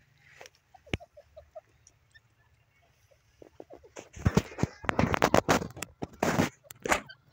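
A francolin gives a run of short, soft piping notes, then breaks into loud, harsh, rapid bursts. Faint low hum underneath.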